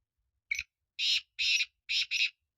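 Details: Black francolin call made of a brief opening note and then four rough, scratchy bursts. The final pair is run together. No other sounds are heard between the notes.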